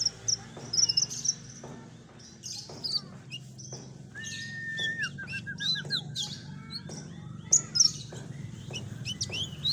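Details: Common iora lure recording: a busy mix of high, sharp chirps and short whistled notes, with a sustained slurred whistle mid-clip followed by a quick run of repeated notes, over a steady low hum.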